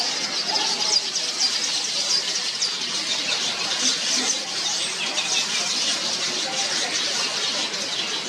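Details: Yellow weavers at a tree holding over 100 nests in Mombasa, Kenya, early morning, while birds build and repair nests and feed young: dense continuous high chattering and squeaky calls from many birds at once.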